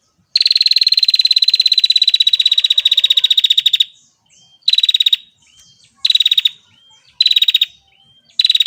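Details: Female bar-winged prinia opening with a long, steady, buzzing trill of rapid ticking pulses lasting over three seconds, then four brief rattling bursts separated by faint, thin, slurred notes.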